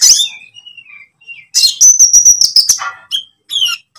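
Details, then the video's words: Konin lovebird, green or pied variety, used as a training lure for kept songbirds. Thin whistled notes and a squeak give way to a fast, piercing trill of high chirps, then a harsh chatter. "pancingan konin ijoan atau trotol"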